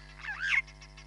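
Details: Hamerkop calling at Nkorho Bush Lodge, live cam, 31 July 2021: one nasal, wavering note that dips then climbs sharply before cutting off, with faint frog pulses behind.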